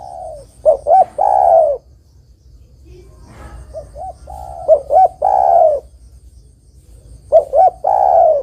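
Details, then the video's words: Zebra dove singing for luring birds: three phrases, each two sharp bouncing notes then a long descending rolling coo, spaced about two to three seconds apart, with a faint high hum. "Suara Burung Terkukur Gacor Paling Top Untuk Pancingan & Pikat"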